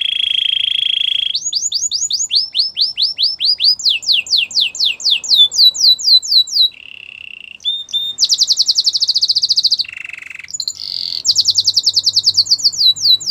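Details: Singing Gloster canary: a steady held note, then long series of quick sweeping whistles, a low flat buzz, dense pulsed trills and a deep nasal roll, delivered continuously in shifting tours, over a faint low hum.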